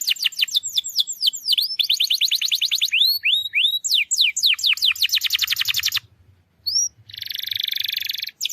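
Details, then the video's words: Canary song for prompting a reluctant singer: quick descending chirps, rapid rolling trills and upslurred whistles, a brief gap, then a dense buzzy trill; a faint low hum underneath. "PANCINGAN KENARI MALAS BUNYI"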